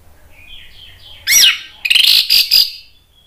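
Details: Agitated Orange-headed thrush song used as a provoking lure for other birds: soft quiet warbling at first, then a loud sweeping note and a dense cluster of harsh, bright, rapid notes.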